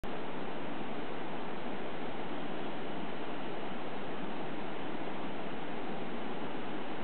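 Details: Steady, dense broadband rushing noise like a waterfall or strong surf fills the whole recording, with no animal calls heard.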